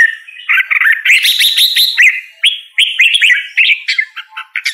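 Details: Red-whiskered bulbul song: a fast stuttering series of clipped notes at the start, then varied whistled phrases with bent, swooping notes, sung continuously with short gaps.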